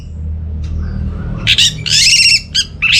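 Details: Orange-headed thrush, northern Bali, used as a lure for birds at home that are not singing: a quiet start with faint notes, then loud rasping buzzy bursts and clipped calls in the final half.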